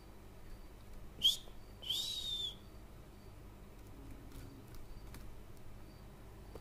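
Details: A hand-tamed female black francolin (Francolinus francolinus) with her chicks in breeding season, Pakistan, gives a short sharp note then a longer, rasping, arched high whistle over quiet hiss; call.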